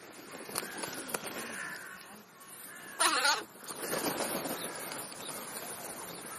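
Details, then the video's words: Feeding crow giving one loud, harsh caw partway through, framed by fainter croaks and clicks over continuous background hiss. "Krähenbrunch /crow`s brunch"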